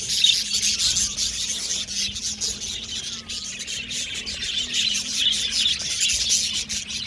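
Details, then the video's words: Colony of budgerigars in an aviary, described as happy, chirping nonstop: overlapping high twittering and buzzy warbles form an unbroken chorus, with a faint low hum beneath. "Happy Budgies Chirping Sound"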